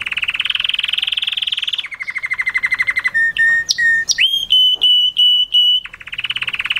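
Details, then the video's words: Canary song for mating in mushti style: a loud buzzy roll, a lower rattling trill, sharp whistles and quick upward sweeps, then sustained pure whistled notes before a fast trill returns. "تغريد كناري موشتي قوي وممتع"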